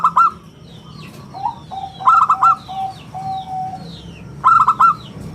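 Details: Local zebra dove in steady song, prized for a round, crystal-clear voice and used to lure and tutor other birds: short bursts of quick, rolling coos, with a long thin whistle from another bird between phrases.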